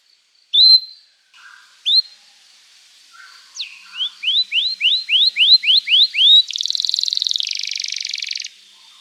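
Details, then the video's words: Canary song played to teach juvenile canaries: two isolated rising whistles, a downward slide, about ten evenly spaced rising slurred notes, then a long buzzy rolling trill shifting lower. "Kenari Gacor Panjang Cuit Cuit emosi, Pancingan Kenari paud belajar bunyi, terapi ampuh kenari macet"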